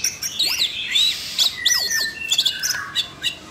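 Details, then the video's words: Caged Siberian rubythroat prompted by training playback, delivering looping whistled slurs and sharp ticks, followed by steadier, lower whistled tones near the end, all rapid and high. "chú oanh cổ đỏ nổi hứng hót chuyện"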